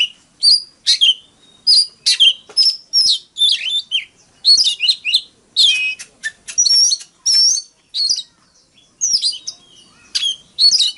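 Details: Sustained fighting song from an Oriental magpie-robin, dense chains of chirps, trills and whistled slides pouring out almost without pause for eleven seconds, quiet background.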